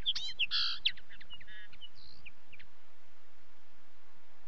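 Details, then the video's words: Common linnet song: a lively twittering phrase of fast chirps, short trills and nasal buzzy notes over about two and a half seconds, then quiet. "Linnet song"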